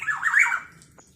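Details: Black-naped oriole calling energetically, its voice said to provoke other orioles: a rough, nasal, squawking phrase of wavering harsh notes lasting about half a second, then fading into quiet.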